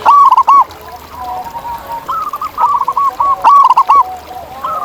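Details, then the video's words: Zebra doves in nature, wild: a loud, quick stuttering coo phrase opens, followed by long runs of softer beaded notes and further bright bursts, several birds overlapping. "Ini Dia Suara Asli Perkutut Liar di Alam!"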